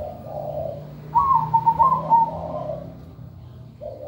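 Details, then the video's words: Zebra dove (perkutut) in full, vigorous song in the manggung style with a good rhythm. A soft mid-pitched coo is followed by a loud, quavering, trilled phrase of rapid beats, then a fainter coo at the end, over a low steady hum. "MEWAH PERKUTUT GACOR SUARA MERDU"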